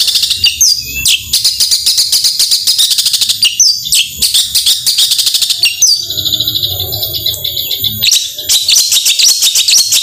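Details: Long-tailed shrike singing in the fast 'tembakan' style meant to provoke silent shrikes: long runs of rapid sharp chirps, a few clear whistled notes near the middle, then renewed rattling bursts.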